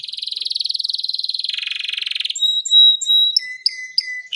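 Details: Canary in long gacor mastering song: an extended rapid pulsed roll that sinks slightly in pitch, then piercing pure whistles and quick clipped notes.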